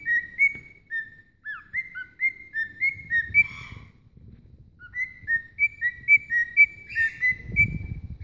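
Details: A pet cockatiel singing to its puppy friend whistles a lively song of clear, short notes, some sliding up, some dropping.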